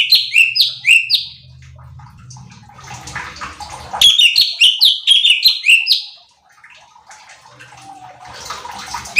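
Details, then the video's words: Cucak cungkok bulbul in a provoking training recording. Bursts of fast descending whistled notes, separated by stretches of low hum and scattered faint chirps, with a second burst of rolling whistles midway. "Pancingan Cucak Cungkok Malas Bunyi | Bikin Emosi Burung Lain"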